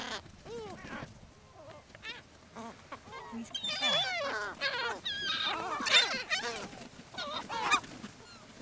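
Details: Several gulls crowd in to be fed on Brean Sands beach, Somerset, England, April 2013; overlapping mewing and squealing cries, rising and falling yelps tumbling over each other, busy and continuous throughout.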